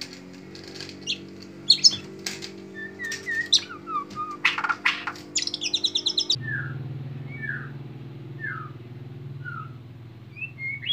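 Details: White-rumped shama doing a bowing display in Indonesia: sharp clicks, whistles and a rapid trill, then sparse soft whistled notes over a steady low hum.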